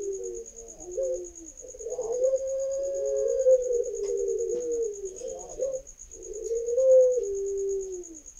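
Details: Young Barbary doves over five months old, kept birds learning to call: low, wavering drawn-out coos that rise and dip, with short breaks between phrases, over a steady high electronic whine.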